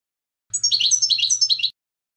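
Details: European goldfinch song, a clean recording: a brief burst of rapid twittering, tinkling notes high in pitch, about one second long, with a faint low hum beneath.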